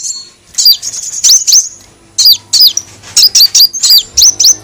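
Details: Kolibri wulung sunbird used as a bird lure: a thin sustained whistle opens, then clusters of sharp, high, swooping chirps arrive in bursts separated by a brief pause.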